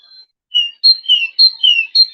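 Great tit song: a bright two-note 'tea-cher' phrase, a high note dropping to a lower one, repeated about twice a second.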